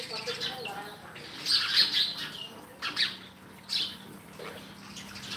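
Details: Sparrow giving bright, high chirps in short bursts, a few louder clustered notes around the middle, with faint low background hum.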